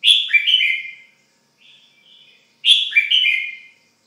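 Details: Red-whiskered bulbul kept as a pet repeating a lively chirping whistled phrase twice, with soft quieter notes in the pause between phrases.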